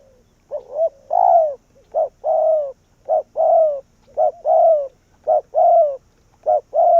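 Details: Spotted dove kept as a decoy to call wild doves in, cooing rapidly: about seven phrases in quick succession. Each pairs a short hoot with a longer falling croon, in a steady, insistent rhythm.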